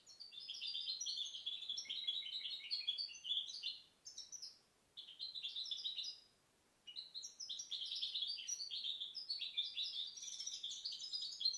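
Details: Goldfinch hybrid, 2010 bird, delivering lively tinkling phrases of rapid high chirps and trills, broken by two short silences, then continuing in dense, excited twittering.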